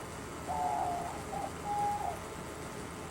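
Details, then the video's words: Captive diamond doves, a pair kept indoors among other birds, cooing softly from another room: a few mellow, hollow, medium-pitched notes, the longest about half a second, over a quiet room background. "you can also hear some diamond doves in the distance, and those are in the other room, along with a whole bunch of other birds."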